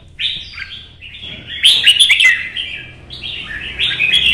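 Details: Red-whiskered bulbul, Vietnam, kept by bird hobbyists, performing competitive solo song meant to provoke rivals: bright warbled phrases with quick rising and falling notes, a sharp clicky burst in the middle, steady low hum beneath.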